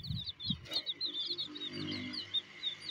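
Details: Chicks chirping while eating, dense overlapping high peeps in rapid succession, with a few soft low knocks of pecking early on.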